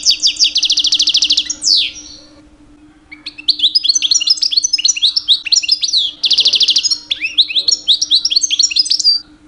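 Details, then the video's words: A two-year-old male European goldfinch sings constantly during mating season to attract females: a buzzy trill, a pause, then long tumbling twittering phrases mixing sharp chirps and rattling runs. "My 2 years old Goldfinch song"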